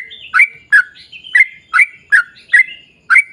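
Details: A sooty-headed bulbul sings steadily to lure other bulbuls into song: spaced, rich chirps that slur downward, each followed by a brief rising whistle, about one phrase every second.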